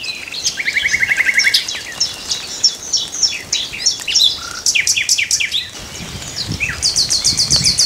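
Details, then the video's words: A common nightingale sings a varied run of rich phrases: a fast stuttering volley of repeated notes, a low whistle, sharp chips, and a high rapid trill. "Common Nightingale singing"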